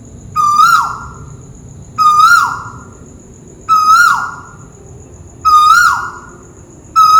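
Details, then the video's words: Scops owl known as the Malaysian tuwu bird, calling from above with loud single hoots repeated about every 1.7 seconds, each a mellow whistle swelling upward then falling away. "Burung tuwu malaisia lagi bunyi diatas"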